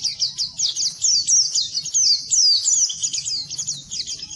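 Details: Pleci (Oriental white-eye) training song for reluctant singers; an unbroken, shrill babble of quick rising and falling notes, very high and busy throughout.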